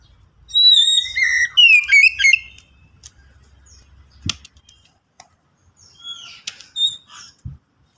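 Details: White-rumped shama song used as a lure to prompt other shamas to sing: a loud burst of varied whistled, rising and falling notes over about two seconds, then a soft knock and quieter whistled phrases later.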